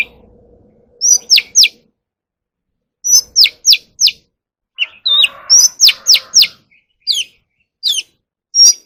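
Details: Captive Oriental magpie-robin in voice training: loud, clear whistled phrases of sharp descending and upslurred notes in quick bursts of three to five, separated by brief pauses, with a faint low buzz early on.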